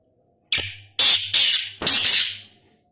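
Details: Black francolin (Sindhi kala tetar) giving four harsh, grating, buzzy notes in quick succession, the first short and the last longest, over a faint steady low hum.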